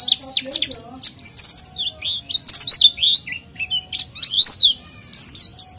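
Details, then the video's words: Oriental white-eye in vigorous song meant to lure untrained white-eyes; varied bursts of high chirps, sweet slurred whistles and quick twitters, separated by short pauses. "PLECI GACOR UNTUK PANCINGAN PLECI BAHAN"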